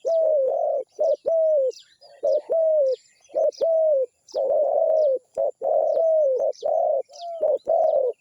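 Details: Cooing song of a zebra dove: a steady string of short, burred coos, each bending gently downward. The coos repeat almost nonstop, about one per second. Thin, high chirps of other birds are heard faintly behind.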